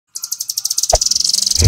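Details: Velvet-fronted nuthatch, the rambatan of Indonesian songbird keeping, in the fast 'nembak full speed' style: a dense, high, buzzy trill of even pulses, about twelve a second, starting abruptly, with a low thump near the middle.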